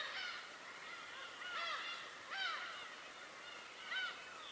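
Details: Recorded on Tobishima, birds utter honking, arched calls roughly once a second, each rising then falling, over a dense backdrop of many more birds calling together.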